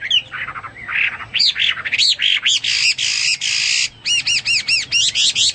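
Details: Hwamei in full song, mixing harsh buzzy rasping bursts with bright rising whistles, and ending in a fast series of repeated arched whistled notes.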